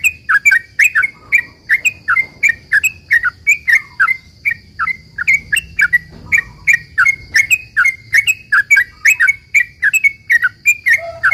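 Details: Sooty-headed bulbul singing a long rapid-fire 'ropel' sequence, used to coax other bulbuls to call back: dense, evenly repeated bright chirps with upward flicks, running for over ten seconds with hardly a break, above a faint steady tone.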